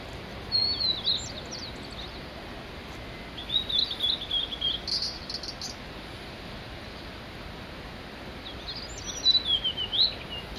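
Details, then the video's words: Male Blue-and-white flycatcher, Mount Migita, giving two separate song bursts several seconds apart: each a run of sweet, high warbled whistles with quick up-and-down slurs, silence and faint hiss between them. "オオルリ ワンマンショー in 右田ケ岳"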